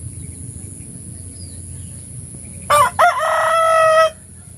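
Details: Rooster crowing in the morning: one loud cock-a-doodle-doo with two short rising notes and a long held, slightly falling final note, over a low steady hum.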